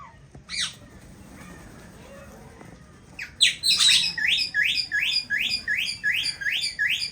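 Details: Indian ringneck parakeet pair in an aviary, having found a nest: a single squawk early, then a rapid run of harsh, rising screeches repeated about twice a second with rough, grating quality.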